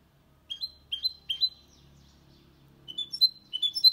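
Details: Goldfinch × canary hybrid singing, recorded in 2022 as error-free song for training males and chicks: three short rising chirps, a quiet gap with faint low rumble, then more scattered bright whistled notes.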